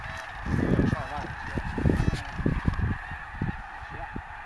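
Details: Snow geese at Bosque del Apache National Wildlife Refuge, a wintering refuge: a dense flock chorus of short, harsh honks in overlapping bursts, with a few clearer nasal rising-falling calls near the middle.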